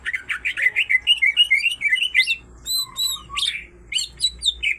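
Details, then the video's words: Female and male greater green leafbirds singing energetically, the song packed with kingfisher imitations. A fast string of chirped, slurred notes leads into sharper, higher whistled phrases and quick repeated chips. "full isian tengkek cucak ijo betina dan jantan sama sama gacor"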